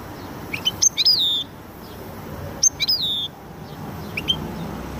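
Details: Song of a goldfinch and canary hybrid: two clustered phrases of quick high chips ending in a falling whistled slur, then a softer short note, with low ambient noise beneath.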